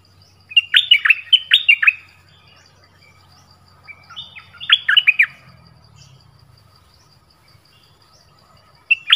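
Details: Whistled 'phleng boen' song of the nok dok taeng, meant for young birds to learn: two bursts of rapid, sweet, falling notes separated by a few seconds of quiet, with a new phrase starting at the end.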